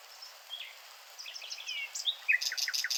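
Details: Nightingale song phrase: soft scattered chips lead into slurred descending whistles, then a rapid series of loud, evenly repeated sharp notes closing the phrase.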